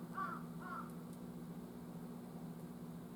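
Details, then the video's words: Jungle crow in the wild, recorded on 18 October at 11:50, giving two quick hoarse caws close together at the start, followed by steady low background hum with no further calls. "the crowing of the Jungle crow"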